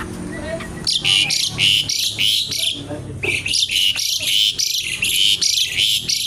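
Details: Lively Javan pied starling song with a crackling, garuda-like delivery. Loud, rough, buzzy bursts repeat steadily, roughly two per second, with brief pauses between phrases.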